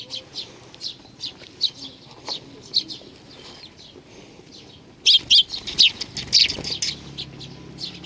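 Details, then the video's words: Eurasian tree sparrows come to a bench to be fed, 3 June 2020; scattered thin chirps at first, then from midway a louder, busier burst of sharp overlapping tweets, with a faint low hum beneath. "ベンチの上のすずめ達 20200603 1（餌を貰いに来る雀達"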